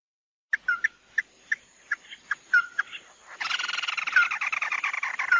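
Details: Lure recording of the mắt đỏ bird: isolated sharp chips and short downslurred whistles, then a loud, continuous rasping chatter with more whistles woven through it.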